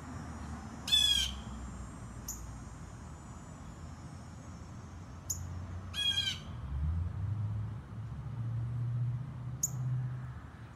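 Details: Blue jay heard from a distance on a modest recorder: two loud harsh, buzzy jay calls with ringing harmonics about five seconds apart, plus a few brief thin high notes and a low background rumble.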